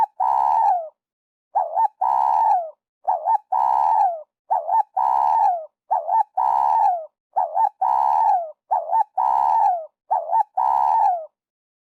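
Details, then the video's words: Repeated cooing of a spotted dove, offered as a trapping lure: steady run of phrases roughly every one and a half seconds, each a quick wavering coo then a longer falling one, no other sounds. "Tiếng chim cu gáy dành cho ae đi bẫy"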